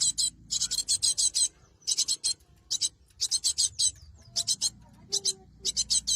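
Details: Cinereous tit used as a lure for trapping wild birds: rapid clusters of harsh, scratchy, buzzing notes, four to six per burst, with short pauses and a brief low whistle.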